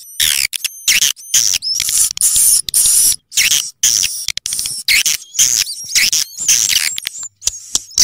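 Swiftlets chatter in dense, high twittering bursts with thin whistled rising notes, broken by brief silences, all pitched very high.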